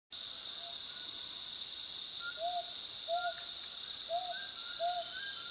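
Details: Mountain scops owl, labelled as spotted scops owl, giving soft, mellow whistled hoots in pairs, each pair repeated after about a second's pause, over a steady high insect drone.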